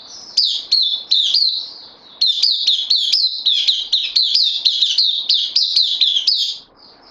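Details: Bulbul kept in a cage, newly arrived on loan, 12 September 2020. High, clear chirps with quick upward flicks, a short burst, then a long, steady series at roughly three notes per second.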